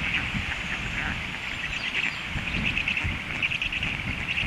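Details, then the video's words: Stork nestlings, hungry, keep up a dense, buzzing stream of rapid squeaky pulses that swell in brief bursts over a low, rough rumble of outdoor noise. "storklets hungry"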